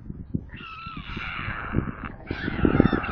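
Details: White stork nestlings begging from hunger at a nest near Kaluga, Russia, filmed by a nest camera: a sustained hoarse, hissing screech starting after half a second, a brief break, then more rasping, with low knocks beneath.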